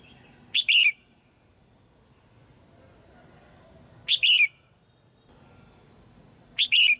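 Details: Caged female red-whiskered bulbul singing to encourage young birds to sing; three loud two-part whistled phrases, spaced about three and a half seconds apart, with quiet between.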